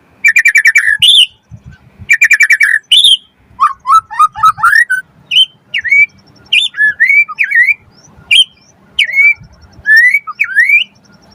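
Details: White-rumped shama singing to provoke other birds: fast buzzy rattling bursts, then a sequence of clear up-slurred and down-slurred whistles repeated in quick succession, bright and loud, with faint low thumps behind.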